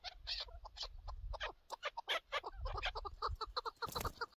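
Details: Chukar partridge calling in a partridge-hunting setting: rapid, irregular series of harsh clucking chucks that build into an excited cackle, with a brief broadband rustle near the end and low background rumble.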